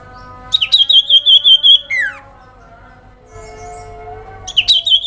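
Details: Sooty-headed bulbul call used as a lure that quickly provokes an excited response from other bulbuls: quick bubbly whistled notes repeated in a run, ending in a falling slur, then resuming, over steady background tones.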